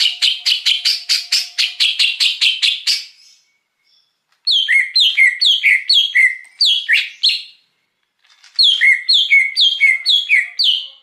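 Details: Wild greater green leafbird singing as a lure recording: a fast run of bright repeated notes for about three seconds, a short pause, then loud phrases of notes slurring downward, repeated again and again.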